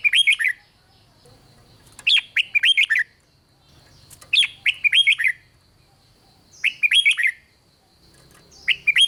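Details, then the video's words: Red-whiskered bulbul giving its 'rik' song to stir up other bulbuls; five snappy phrases of rapid chirpy, slurred notes repeat roughly every two seconds, clear and loud against near silence and a soft steady tone. "เสียงนกกรงหัวจุก ร้อง ริก ยั้วให้นกคึกดีมาก"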